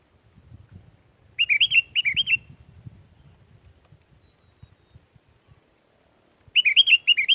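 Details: Sooty-headed bulbul singing lively as a lure, meant to make wild bulbuls answer and sing along. Short bubbly phrases of quick warbled notes come in bursts with long gaps, over a soft low rumble.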